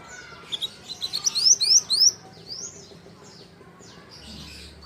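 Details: Pied bushchat, a juvenile in the song-training stage, delivers an accelerating string of sharp, high, rising whistles lasting under two seconds, then softer chirps from nearby birds and a low hum at the end.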